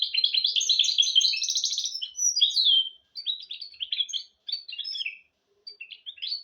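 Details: Hybrid of goldfinch and canary singing as a model to train goldfinches and canaries. A dense twittering trill opens the phrase, then breaks into shorter separated chirps and brief phrases with small pauses.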